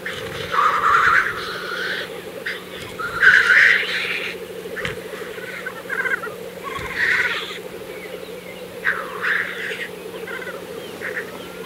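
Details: Black grouse displaying at a lek in April 2024, Kologriv Forest, Russia: continuous low bubbling cooing underlies loud hissing sneeze-like whooshes that burst out every few seconds, with several birds overlapping.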